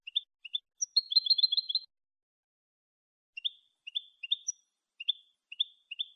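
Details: European goldfinch giving clean Malagueño-style song for tutoring other goldfinches: a brief fast trill after opening chirps, a long silence, then a run of short upslurred tweets about every half second.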